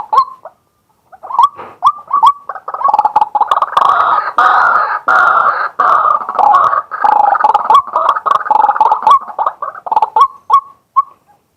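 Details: Daytime male white-breasted waterhen decoy recorded live: separate rising kwak notes build into a dense, loud, harsh jumble of overlapping calls lasting several seconds, then break back into single notes.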